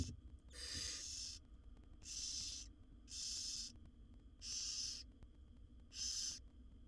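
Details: Harsh, breathy begging hisses from wild barn owl owlets, a brood of seven fed by their mother in a nest box; five rasps under a second each, repeated about every second, with a low knock at the start.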